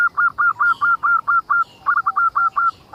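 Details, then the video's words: Local zebra dove singing to prompt other zebra doves to call: a long, fast series of evenly spaced, clear staccato notes, about four per second, with a brief break midway and faint chirps of other birds. "Suara indah perkutut lokal gacor untuk pancingan"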